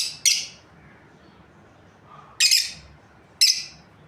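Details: Lovebird breeding pair calling: shrill, raspy chirps in three separated bursts, the first at the start and two more about a second apart near the end, in a quiet setting.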